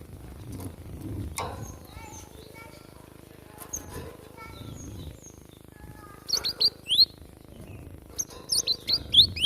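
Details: Java sparrow, wild recording used as a tutor for a fighting-style song: faint thin notes, then two bursts of sharp, high, upward-sweeping chirps in quick succession near the end, over low background rumble.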